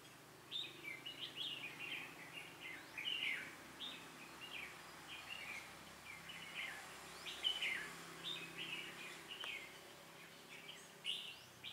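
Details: Red-whiskered bulbul during bulbul trapping: a run of quick warbled and slurred whistled notes, several phrases close together, faint against background hiss and a low hum.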